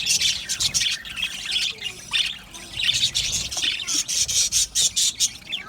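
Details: Colony of budgerigars in an aviary producing busy high twitters and scratchy squawks, growing into a rhythmic series of chirp bursts in the latter half.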